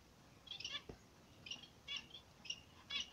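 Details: A pair of zebra finches in the morning sun gives short nasal, buzzy beeping calls, about one every half second, over faint background hiss.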